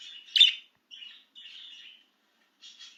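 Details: Budgerigar out of its cage and excited, producing a loud sharp chirp followed by soft buzzy, scratchy warbling phrases separated by brief pauses.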